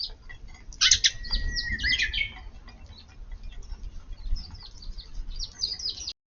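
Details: Eurasian tree sparrows visiting a garden at midday on 4 April, feeding as rain threatens under murky skies: several overlapping sharp chirps and twittering notes, with low rumbling background noise.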